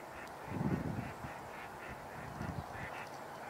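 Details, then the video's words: A couple of female mallards give a few low, rough quacks, one short burst early and another near the end, among northern pintails and green-winged teal on water, over a steady outdoor hum. "Sounds like a couple female mallards vocalizing."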